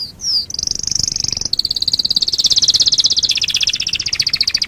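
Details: Master recording of canary singing for tutoring other birds: a brief slurred note, then a long, very fast buzzy trill of tightly packed pulses that steps slightly lower near the end.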